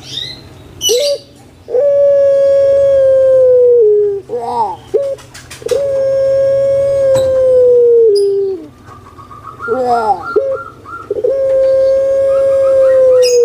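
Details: Lure call of a captive puter pelung collared dove, a Javanese breed, meant to prompt lazy doves to call: three long drawn, level coos, each sliding down at its close, separated by short rough gurgling notes and faint clicks.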